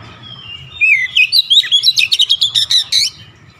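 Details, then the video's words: Singing kacer, or Oriental magpie-robin, repeatedly unloading its repertoire. A soft sliding whistle leads into a fast, even run of about fifteen loud staccato chirps lasting two seconds. "KICAUAN OBAT KACER SETRES CEPAT SEMBUH DAN GACOR NGOTOT BONGKAR ISIAN"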